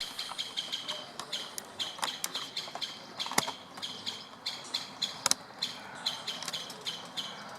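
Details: Wild woodpeckers at a window in Berceni, Bucharest, Romania, giving sharp, short, high kik-like notes in quick irregular series, roughly two to three per second, with a few louder clicks standing out over faint background hiss.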